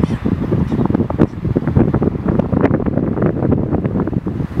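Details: Gusty wind buffets the microphone with repeated low thumps and rumbles, and no animal calls are heard.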